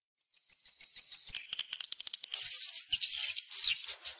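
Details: Swallow calls: a fast, dry, high chittering of clicking notes that builds in loudness, then breaks into denser twittering with a few sharp high squeaks at the end.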